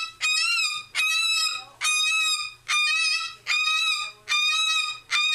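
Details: A cockatoo gives loud, harsh, raspy screams, each about half a second long, repeated steadily about once a second. Such screaming can go on for hours.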